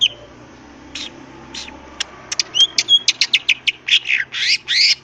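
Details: Greater green leafbird singing in the wild, its varied song meant to goad rivals into replying: a few scattered notes, then an accelerating series of sharp chips and short buzzy whistles.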